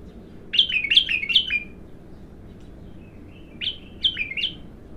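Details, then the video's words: Bulbul, untrained, singing for the first time: two short phrases of three or four bright, slurred whistled notes each, split by a quiet stretch with a soft thin note. "تغريد الابتر"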